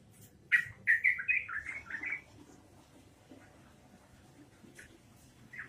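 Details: Yellow-vented bulbul (trucukan) singing in rapid ropelan fashion: one cheerful phrase of about six gurgling, rising-and-falling notes in under two seconds, then near silence before a single note.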